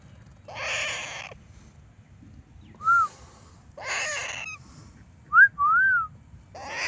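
A young parrot gives three harsh, raspy squawks, each under a second, alternating with short clear whistled notes that rise and fall, over a low steady hum.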